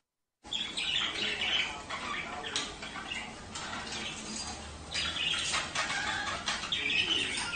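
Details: Budgerigar chatter to encourage mating: continuous soft warbling with scratchy notes and a few brief whistled tones, swelling slightly toward the end.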